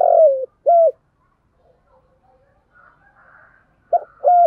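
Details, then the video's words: Spotted dove used as a decoy for luring, giving clipped, slightly falling coo notes in pairs. There are faint murmurs in a long pause before the next pair. "chim cu mồi thúc gù bài bản nhất hiện nay, chim cu gáy kích bổi hiệu quả nhất hiện nay"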